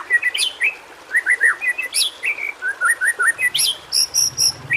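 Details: White-rumped shama in a training recording meant to prompt reluctant shamas to sing: rapid varied whistled phrases, short slurred notes near mid pitch mixed with higher sharp chirps and brief buzzy bursts, steady and continuous.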